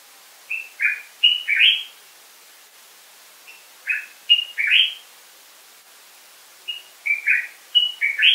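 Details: Common bulbul repeating the same cheerful phrase three times, each of four or five quick liquid whistles climbing to a rising final note, with roughly three-second pauses between.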